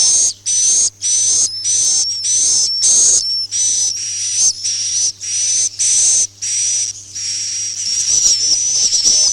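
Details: "Masal" roosting sound luring swiftlets for farming: rapid, rasping hissing chirps in clusters, thin whistles gliding above them, steady low hum in the background.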